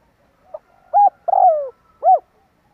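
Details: Spotted dove call used as a lure to draw wild birds in: a soft short note, then a mellow coo, a longer rolling coo sliding downward, and a final rounded coo after a pause.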